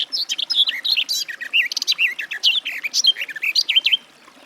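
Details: Sustained, bubbling warble of a Garden warbler (Sylvia borin). Smooth, wavering and looping notes pour out continuously for four seconds before stopping.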